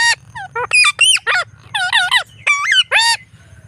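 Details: A blue Indian ringneck parrot, a pet filmed on an evening walk, talks in a burst of about ten quick, rich, speech-like syllables, some rising and some falling, over a faint low hum.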